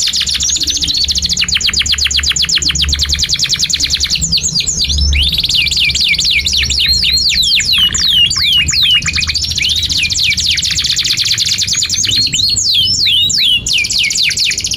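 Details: Long unbroken canary song for teaching young or silent canaries: alternating fast high rattling trills and rows of steep descending whistled sweeps, with occasional lower buzzy passages, loud and continuous.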